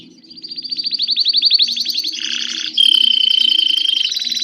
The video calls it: Som do canário belga cinza/sound of the grey belgian canary.